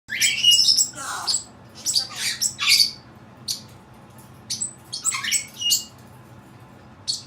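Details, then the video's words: Pet Cape parrot making odd sounds indoors: harsh, high squawks and buzzy screeches in irregular bursts, with short quiet gaps between calls. "making some odd sounds"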